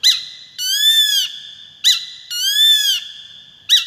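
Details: Peregrine falcon (Falco peregrinus) calling: short, sharp, harsh notes alternating with long, whining wails that rise then fall, each under a second, in a quiet setting.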